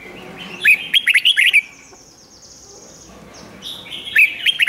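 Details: Red-whiskered bulbul in rik-style song, for playback to excite caged birds: a long run of quick, jerky warbled notes, a pause with a thin high whistle, then another rolling phrase.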